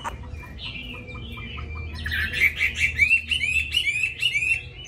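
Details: Caged Hwamei with a forest-style voice that sings readily, starting with soft spaced ticks and a low whistle, then a lively stream of bright upward-slurred whistles repeated rapidly.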